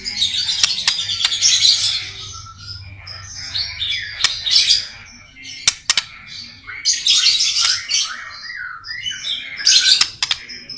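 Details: White-rumped shama (murai batu) in a full 'isian' song: dense, scratchy, buzzy chatter in high bursts lasting one to two seconds, separated by short quieter gaps and a few sharp clicks.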